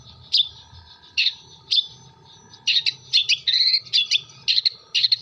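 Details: Long-tailed shrike from Jember with imitated kuntilanak, sparrow and tengkek buto phrases. Isolated sharp squeaky notes at first grow into a busy cluster of scratchy chirps and short slurred whistles.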